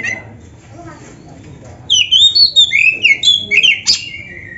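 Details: Oriental magpie-robin song for training caged birds: near-silence with faint low noise at first, then from about two seconds a burst of loud, slurred whistles and quick rising-falling notes, ending on a drawn-out whistle.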